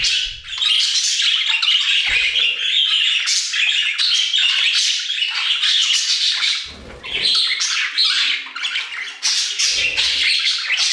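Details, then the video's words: Budgerigars singing in an aviary: dense, continuous chattering warble of many birds, scratchy squawks and chirps layered together, with brief low thumps near two and seven seconds. "Budgie Songs - 1 hour of Budgies singing in the Aviary"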